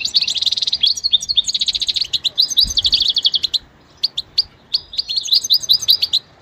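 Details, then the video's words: Goldfinch singing in a quiet setting, recorded for song training: a fast, dense run of bright twittering and tinkling notes, with rapid trills and short pauses, then scattered sharp chips before the twittering resumes. "Enjoy the beauty of the goldfinch and listen to the most beautiful motivational"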